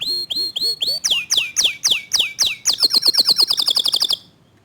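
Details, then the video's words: Local canary (kenari lokal) singing in the fast, tight 'tembakan' style with a clear voice: slow whistled notes sweeping down, then quicker repeated strokes, then a rapid high trill that stops abruptly. "Kicau Kenari Lokal Tembakan speed rapat Suara Jernih"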